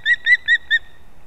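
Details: Osprey chicks competing at a nest in an old leaning pine in Kurzeme, Latvia, on 11 September 2024: four short whistled, slightly rising notes in quick succession, with faint background.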